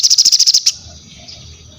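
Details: Crested jay singing, used for mental training, masterans and prompting other birds to sing: a quick run of about nine high, harsh pulsed notes in under a second, then fading into quiet background hiss.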